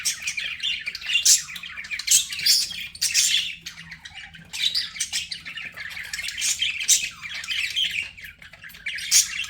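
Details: Budgerigars kept as pets give rough, high squawking chirps in uneven clusters, loud bursts separated by softer warbling chatter.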